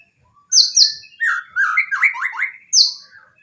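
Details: White-rumped shama training song for birds that rarely sing, loaded with varied material: loud high whistled notes near the top alternating with rapid slurred phrases sliding up and down, delivered in bursts with short pauses.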